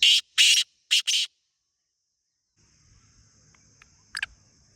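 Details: Wild black francolin (teetar), Pakistan, calling a short grating phrase of four harsh rasping notes, followed by quiet with low rustling and a faint high hum.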